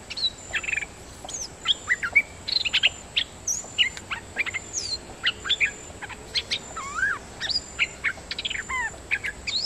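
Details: Dok taeng bird singing as a decoy, a long lively stream of sharp whistles, swooping slurs and chattering notes with short pauses between phrases, a steady faint high tone behind.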